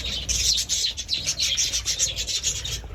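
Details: Budgerigar in a rasping, rhythmic warble, short scratchy chirps pulsing several times a second throughout.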